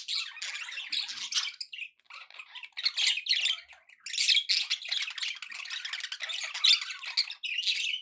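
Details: Budgerigars in happy chatter: long rolling bursts of raspy warbles, clicks and high squeaks, several lively phrases separated by brief pauses.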